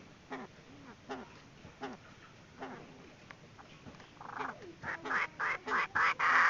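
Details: Decoy call of a female Chinese francolin for trapping: soft, spaced clucking notes at first, then a loud rising burst of rapid harsh calls toward the end.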